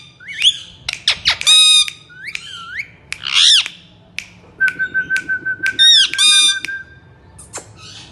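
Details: Ringneck parrot from India, known as a talker, mixes sharp harsh squawks with a level buzzy whistled note pulsed several times, then more long nasal squawks.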